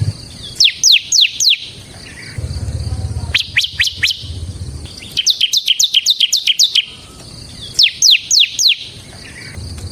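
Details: Bar-winged prinia (ciblek semi) in energetic ngebren song, used to lure and train ciblek kristal: repeated bursts of three to seven sharp rising-falling chirps separated by short pauses, with a low hum between bursts.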